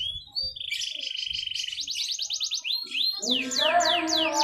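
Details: Competition canary from Central Java: a whistled rising note leads into fast, even trills and a rapid rattling series, then loud descending sweeps over lower tones from another sound source.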